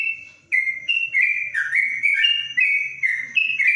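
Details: Caged yellow-vented bulbul (trucuk) inside a cage cover in Kebumen, singing the long 'ropelan panjang' style: rapid whistled phrases, each stepping down in pitch, linked almost without pause after a short quiet start.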